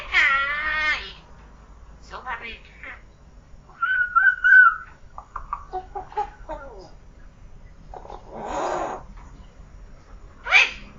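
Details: Talking pet common hill myna, not yet a year old, indoors: a run of varied speech-like syllables, a brief clear whistled note, and scattered short harsh bursts with silent gaps between them.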